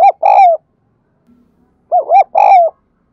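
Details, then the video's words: Spotted dove calling to attract wild doves: the tail of one cooing phrase, a pause with a faint low murmur, then another phrase of looping short coos and a long falling coo. "tiếng chim cu gáy đồng son gáy gọi bổi nhanh về cội nhất hiện nay"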